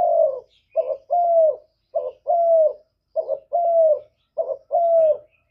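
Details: Spotted dove calling to provoke others into answering. Rhythmic mellow coos, each a clipped opening note followed by a fuller, steady, slightly descending coo, repeated about every 1.2 seconds, with no other sounds.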